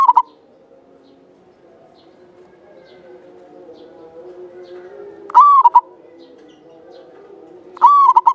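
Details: Javanese local zebra dove singing actively with a long, clear voice, used as a lure bird. Three cooing phrases about two and a half seconds apart, each a held bright note followed by two short staccato notes, over a faint low hum.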